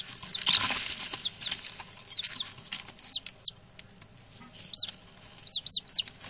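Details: Six young male chicks just brought home, settled in and chatty; a rustling flutter early on, then scattered high, downward-slurred peeps, some in pairs and triplets, with quiet gaps between.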